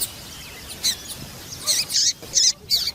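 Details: Female papa-capim seedeater piping to excite males: thin high notes giving way to loud, rasping high bursts of about a quarter second each.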